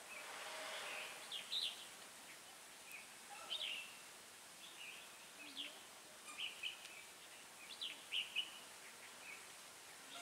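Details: Red-whiskered bulbul decoy bird calling wild bulbuls toward a trap, 20 January 2018: faint, short whistled and warbled phrases scattered through the recording over a steady hiss, with a brief low rumble at the start.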